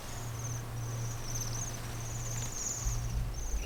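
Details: Trilled, high-pitched calls of Bohemian waxwings stream almost without pause in the snow at Senjogahara, Okunikko, Japan, several birds overlapping, above a low constant hum.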